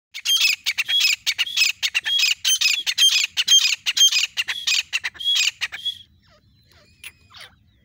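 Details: Desi teetar (grey francolin), said to call alongside a dog: a fast run of loud, harsh, squawking notes, about two each second for six seconds, then fading to faint, scattered chirps.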